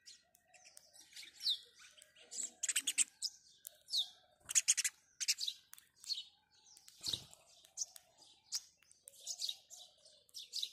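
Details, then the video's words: House sparrows chirping in the morning, a busy stream of loud, clipped chirps, some in fast bursts, with an occasional low knock in the background. "house sparrow chirping"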